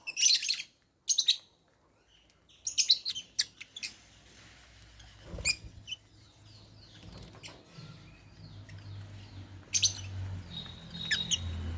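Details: At meal time, caged African lovebirds eating holy basil utter dense bursts of high, scratchy chirps at the start, then sparser chirps over a low background hum.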